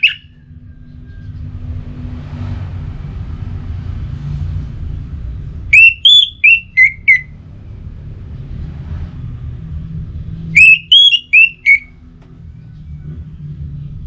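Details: Orange-headed thrush giving a pacingan-style song from Singaraja, North Bali, used to push the bird to keep singing; two short bursts of clear, ringing whistled notes, each a rapid run of four or five, separated by long quiet stretches with low hum.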